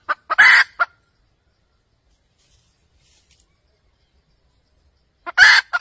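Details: Red junglefowl hen cackling, a lure sound for junglefowl trapping: a quick cluster of clucks with one loud, harsh stretched note, a long silence, then another loud rasping note starting up at the end.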